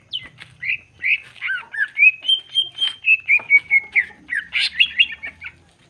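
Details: Cucak ijo, the greater green leafbird, singing a provocative 'nembak bongkar isian' style: clear whistled notes, slurred upward and downward, linked into quick chirpy phrases roughly every third of a second, ending in a bright burst of sharp twitters.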